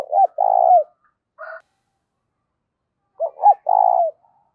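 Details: Spotted dove coo used to stir up decoy doves: a rolling purred note, a short soft call, then after a pause two quick hoots and another long, vibrating coo.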